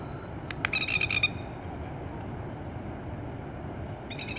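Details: A plover on Tuross Head beach, apparently in attack or defence mode, gives a short burst of sharp, rapid piping notes, then one more clipped call a few seconds later, over a steady rush of surf and wind.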